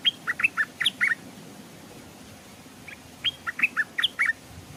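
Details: Stripe-throated bulbul used as a decoy bird, hung beside a stream; wild birds came but did not dare land. Two short bursts of quick, bubbly, chirping notes, each lasting about a second, with a two-second gap between them over a quiet background.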